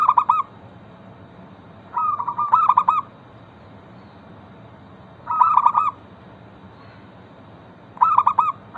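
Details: Zebra dove of local stock singing to make others call back: trill-and-stutter phrases repeat roughly every three seconds, each a brief rolling lead-in and a loud broken coo, over a steady faint hum.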